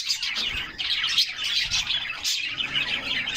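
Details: Several canaries bathing in summer chirp and trill rapidly in a crowded high chorus, with light splashing sounds beneath.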